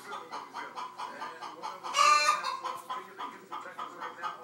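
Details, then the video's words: Clucking chicken giving rapid, evenly spaced nasal clucks, broken partway by a brief loud, raspy outburst, then returning to the same quick rhythmic clucking. "Chicken Clucking"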